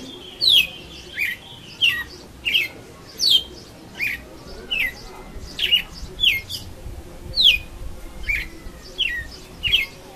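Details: Brown-plumaged young red-cowled cardinal learning its song bit by bit: a run of about fifteen short, clear whistled notes, each sliding sharply downward, repeated roughly every two-thirds of a second in an even series over a quiet background.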